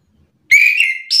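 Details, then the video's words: Agitated orange-headed thrush (anis kembang) singing back and forth with a rival. A long, loud whistled note holds fairly steady, then ends in a sudden higher, buzzy note. "Anis kembang mu langsung terpancing emosi ikut bunyi sahut sahutan"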